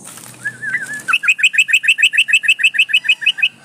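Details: Female yellow-vented bulbul in breeding condition calling males, used as a lure: a wavering whistled note, then a rapid, even string of about sixteen sharp, bright chattering notes.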